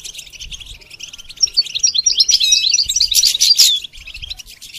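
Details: Goldfinch singing while being trained to sing: soft scattered chirps build into a loud burst of crowded high twitters and harsh notes, then quickly fade.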